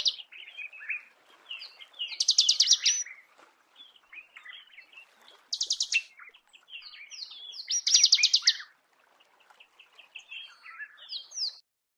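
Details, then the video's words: Marico sunbird in natural habitat delivering a jumbled, high twittering song of varied chirps, broken by three loud, fast buzzy trills spaced a few seconds apart. "Marico Sunbird"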